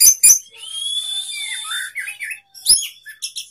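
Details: An orange-headed thrush sings in the sapu jagat style, tail opened. Two sharp notes lead into a long sustained high whistle with lower slurred, warbling notes, then scattered twitters.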